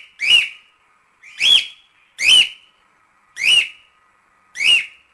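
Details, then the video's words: Five strong cockatiel whistles, each a short arched note, repeated about every 1.2 seconds with near silence between. Played to help teach cockatiels to sing. "Cantos e Assobios Para Calopsitas 🐦 Ensinar Calopsita Cantar"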